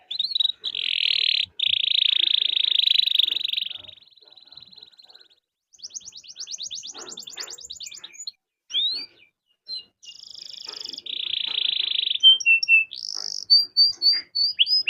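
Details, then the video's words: Steadily singing canary with long rolls, meant to prompt other canaries to start singing: extended dense buzzy trills of several seconds, fast rattling sequences, scattered bright whistles and a closing series of quick repeated chirps. "Kenari Gacor Roll Panjang || Pancingan Kenari agar cepat bunyi"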